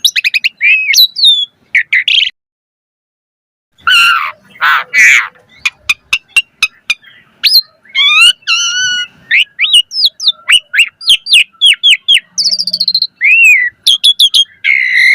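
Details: Persistent singing from an Asian pied starling, played to lure others into replying: harsh bursts and a pause, then a long run of rapid clicks, varied whistles, buzzy stacked notes and short chatters.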